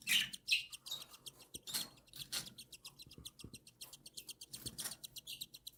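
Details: Three cockatiel chicks, one newly hatched and others seven days old, beg as the mother feeds them: a fast, steady train of thin, ticking, buzzy pulses, opened by a couple of sharper squeaks.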